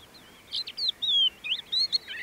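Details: Crested lark song recorded in 2016 at Bismil/Boçelû: a short burst of sweet, liquid whistles, including a drawn-out downslurred note and quick rising slurs, clear over a quiet background.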